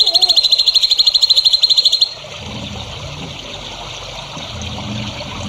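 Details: Songbird from a masteran training recording for future champion birds: a rapid, high, rattling trill of closely spaced notes lasts about two seconds, then stops, leaving soft background hiss and a low rumble.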